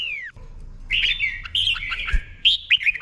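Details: Caged red-whiskered bulbul singing the doubled 'berl' song style, slow and clear, used as a model for other birds to copy. A falling whistle opens, then bright warbled phrases that rise and dip, separated by short pauses. A faint low hum runs underneath.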